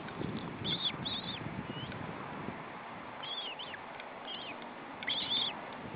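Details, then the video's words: Osprey at its nest during feeding, July, webcam from Estonia: short high whistled chirps in paired bursts near the start and end, with wind and low rumbling background noise. "Osprey nest: Feeding"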